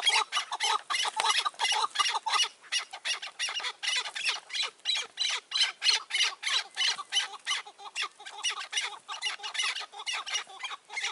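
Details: Chukar partridges in May 2024 during a decoy partridge hunt with a cautious, old wild bird nearby. A fast, loud run of raspy chuck notes is repeated about three times a second, with a short pause near two seconds.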